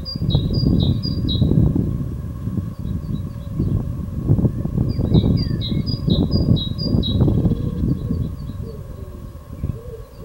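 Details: Great tit evening song recorded on 16 April 2022: two bursts of bright, high two-note phrases, each pair repeated about four times, over a loud, constant low rumble.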